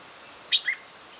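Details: Two quick, thin chirps from 7-day-old light-vented bulbul chicks on 1 June 2009, a high squeak followed by a slightly lower one, against faint background hiss.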